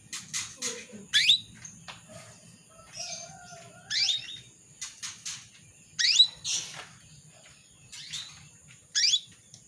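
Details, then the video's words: Calls of a female canary to attract a male: loud, high, rising sweeps every two to three seconds, mixed with short clicky notes and soft chirps, over faint low rumble. "PANCINGAN KENARI BETINA MEMANGGIL JANTAN"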